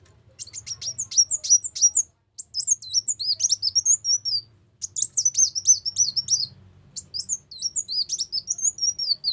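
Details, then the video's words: Ruby-cheeked sunbird song used as a trapping lure: repeated phrases of rapid, high, sharp chips and down-slurred whistles, each about two seconds long with short breaks, over faint low hum. "pikat burung kolibri wulung masteran"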